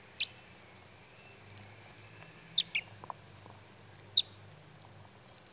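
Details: Pet baby parrotlet enjoying broccoli, giving sparse bright squeaky chirps, a close double chirp mid-way, and soft nibbling clicks against a low household hum.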